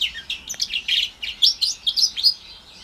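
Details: Young caged house finch x Timbrado canary mule, orange/brown, about four months old, bred 2021, giving a high, fast warbling twitter of slurred chirps and short trills.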